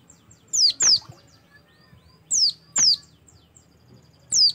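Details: Oriental white-eye singing, recording used as a prompt to get other white-eyes to start singing; high, thin downslurred whistled notes, in pairs and singly, with quiet gaps between.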